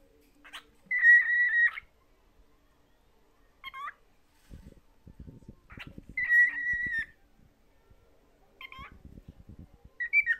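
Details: Pet cockatiel whistling while shown a favourite mirror; level whistled notes of about a second each, spaced several seconds apart, with quiet scratching and tapping between.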